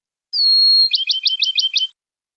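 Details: Male Bachman's Sparrow song, one of the male's many song types: a long, pure, steady whistle, then six quick, sweet chipping notes at about six per second, high-pitched, with nothing else heard.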